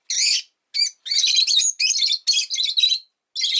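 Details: Rosy-faced lovebird kept as a pet chirping almost nonstop: a rapid run of shrill, rasping high bursts, about seven in under four seconds, with only brief gaps.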